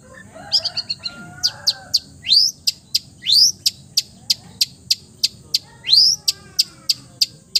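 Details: Long-tailed shrike, known for copying other birds' songs, giving a steady series of sharp high ticks interspersed with three rising, buzzy upslurred whistles, after an opening flurry of quick notes.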